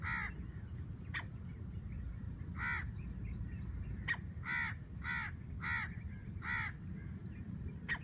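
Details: A female black francolin gives a call used for hunting in Layyah, Punjab, Pakistan. Rough, cawing notes repeat at intervals of under a second, with clicks between them and a constant low rumble behind.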